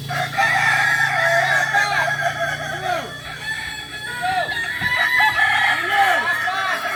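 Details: Several Kokok Balenggek roosters training together at Ampang Kualo, Solok, West Sumatra, crowing at once: overlapping long crows full of short arched syllables, with a steady low hum early on.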